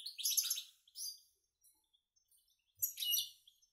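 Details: Caged goldfinch × canary hybrid youngsters, feeding on their own, give brief high twittering bursts at the start and end, with near silence between.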